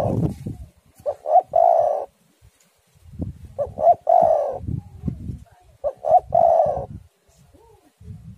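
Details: Lure song of a spotted dove to prompt doves to sing: three phrases about two and a half seconds apart, two or three short notes then a long rolling coo, with low wind rumble between.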